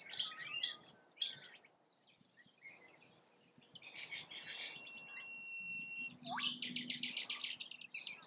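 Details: Rainbow lorikeets feeding in Australia, giving harsh, high screeches and chattering calls in overlapping bursts, with several birds calling at once and a rising squeal near the end.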